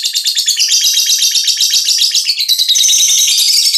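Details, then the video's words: Lovebird aged five months, called a fighter, pouring out a fast, shrill, continuous twittering of tightly packed buzzy notes at around four a second, shifting higher in pitch partway through. "Love bird umur 5 bulan fighter"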